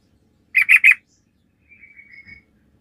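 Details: Sooty-headed bulbul in full, lively song, used as a lure to prompt other bulbuls to answer: three loud, clipped chirps in quick succession, then a pause and a thin, wavering whistle that fades out.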